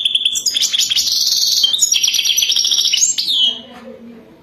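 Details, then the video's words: Mating song of a wild European goldfinch in the Wadani style: a fast, unbroken chatter of bright high notes and rasping trills, closing with a downward whistled slide and a brief soft pause. "اجمل و اروع تغريد حسون وداني رائع جدا"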